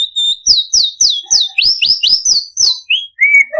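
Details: Imported white-rumped shama song used to prompt other shamas to sing: a fast series of loud, rising, slurred whistles, about three per second, ending in a lower drawn-out whistle.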